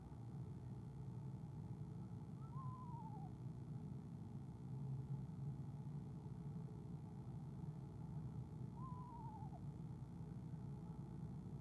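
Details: Female eastern screech owl at a nest cam trilling softly when the male comes, recorded February 2015; two brief descending wavering trills several seconds apart over constant low hum.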